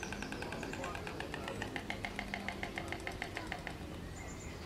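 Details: White storks on their nest, with a fast, dry, wooden rattle of evenly spaced clicks that runs for about three and a half seconds and then stops. A low background rumble continues throughout, and a faint thin chirp follows near the end.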